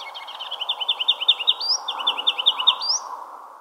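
A Ruby-crowned Kinglet sings a loud, rapid run of bright, bouncy notes that ends in a rising flourish, then repeats the run, over a low steady hiss.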